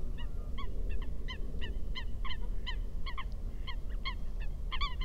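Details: Eurasian coot calling on water: a long series of short, abrupt, nasal honking notes, roughly two or three per second, over a steady low rumble of wind or water.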